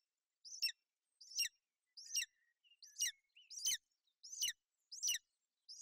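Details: Female golden eagle sheltering her chick on a Bucovina nest, 28 May 2021, in inclement weather; high, sharp downslurred chirps repeated at a slightly uneven pace, with brief faint notes between them.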